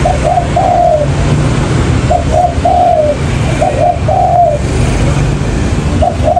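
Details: Spotted dove call used as a lure for trapping: soft low cooing phrases of two short notes and a longer drawn coo, repeated roughly every one and a half seconds over constant low engine-like rumble and hiss.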